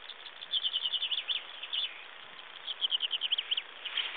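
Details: Common chaffinch singing at Broadstones Reservoir on 18 March 2011; two bright descending trills of rapid repeated notes, each about a second long, ending in a short flourish, over steady hiss.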